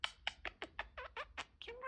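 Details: Pet budgerigar, a talking parakeet kept indoors, giving a quick run of about ten clipped, buzzy syllables in steady rhythm, ending in a short rising whistled note, with low room hum beneath.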